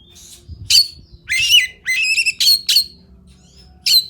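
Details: Oriental magpie-robin, a fighter-style bird: loud, harsh squawking notes and rising, buzzy, ringing sweeps come in bursts of under half a second, several close together, with a quiet low hum behind.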